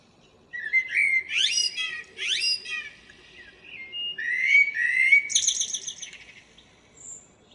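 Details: Local common blackbird, morning song recorded 2 April 2013: rising fluted notes and sharp upswept chirps, followed by a warbled phrase ending in a high buzzy twitter.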